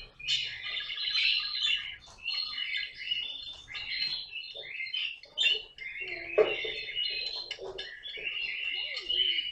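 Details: Pet caique parrot indoors giving a steady run of harsh, raspy squawks and chirps, short bursts packed closely together with brief gaps, at moderate loudness throughout.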